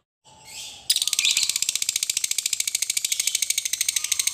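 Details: Long ngekek song of a lovebird, meant to make other lovebirds sing: after a brief hiss, a fast harsh chatter starts and runs steadily, rapid high notes pulsing about three times a second.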